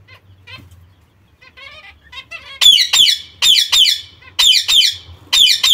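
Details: Zebra finch young with their mother, kept birds: quiet, soft harmonic chirps at first, then loud nasal honking calls from about 2.5 seconds, repeated in irregular bursts roughly every half second, bright and buzzy with rich overtones.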